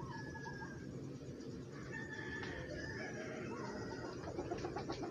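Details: Rhode Island Red, Black Australorp and Brahma chickens kept together, content and easygoing; soft harmonic clucks and a few drawn-out tonal calls over a steady low rumble, with quick clucks bunching near the end.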